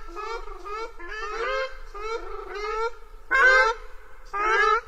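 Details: Ruddy shelduck (Tadorna ferruginea) giving nasal, honking calls in a series of about six bursts, each harsh and goose-like with a slight rise; the last two are loudest.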